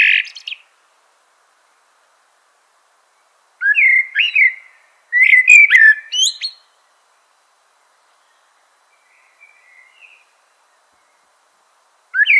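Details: Mellow whistled phrases of a Eurasian blackbird, several closely spaced with high, scratchy chirps at their ends, then a long quiet stretch with a faint soft twitter before another phrase begins.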